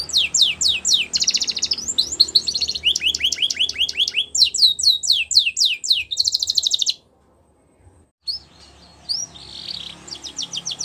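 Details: Canary described as singing in the wild: fast, bright trills of rapidly repeated high sweeping notes, shifting between rolling and chattering phrases, then a brief silence before softer notes and a renewed trill.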